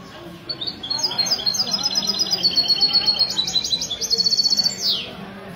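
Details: Mistou-style song of a competing European goldfinch at a café in Ksar El Kebir, Morocco, on Sunday morning, 16 February 2020; sustained high twittering with fast repeated pulses, closing in a falling slurred note.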